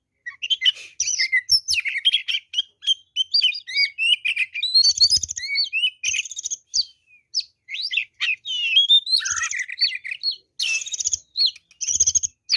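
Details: Oriental magpie-robin, a fighter-type bird in full song: a dense, continuous run of varied whistles, sharp chirps and rapid trills jumping between pitches, with brief buzzy bursts and almost no pauses.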